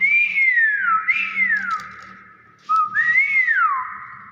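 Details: Natural voice of a common hill myna: two loud clear whistles, each swooping up then gliding down into a sustained note, separated by a short pause, with faint background murmur.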